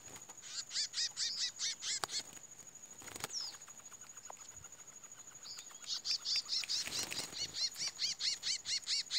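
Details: Chestnut-bellied seed finch (curió) singing during its first fight after moult: a rapid run of sharp, high, ringing notes, a brief lull with a few chips, then the fast series resumes.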